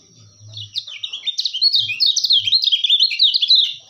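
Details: White-eye, locally called kecial kuning, in a tutor and lure recording for trapping: rapid, high, twittering song of jumbled chirps and trills that rises in loudness and runs without pause, with a few soft low thumps early on.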